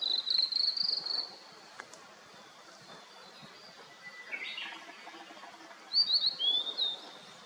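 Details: Blue-and-white flycatcher singing in misty mountains after rain: a clear, high whistled phrase at the start, a brief harsher note midway, then a second run of quick whistled notes near the end over soft background hiss.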